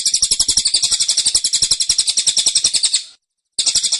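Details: Caged cililin giving a dense, insistent tembakan song: a rapid string of high, sharp chirps, about four a second, running three seconds before a short pause and a fresh burst.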